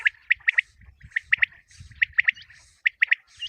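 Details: Common quail calls for quail hunting: quick clipped notes in pairs and triplets, repeated irregularly, over a low rumbling background noise.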